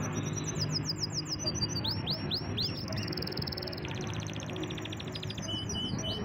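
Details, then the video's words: Pet canary singing fast high trills, then a series of rising swept whistles repeated about twice a second, followed by a rapid buzzy roll, over a constant low hum. "Awesome singing canary / champion bird"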